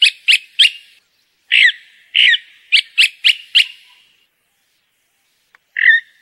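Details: Chalk-browed mockingbird (Mimus saturninus) singing in the Brazilian caatinga: loud, rich, slurred notes, three quick, two longer swooping, four more in a fast run, then another after a pause.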